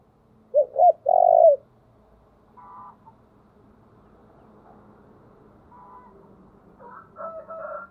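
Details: Spotted dove decoy calling, opening with two short arched coos and a long rough coo, followed by faint buzzy bursts and soft wavering tones.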